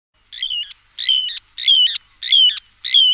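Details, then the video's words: Little ringed plover calls from a decoy recording: five clear, high whistled notes that each slide downward. They are evenly spaced, about one every 0.6 seconds, over a silent background. "Chamariz, Señuelo, Borrelho Pequeno de Coleira, Charadrius Dubius, Chorlitejo Chico"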